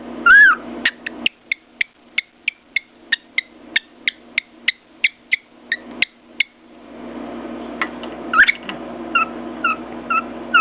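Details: Cockatiel on top of its cage near a mirror: an opening whistle, then a steady series of short, clipped chirps about three per second, a quiet stretch, and a few scattered chirps and whistles at the close.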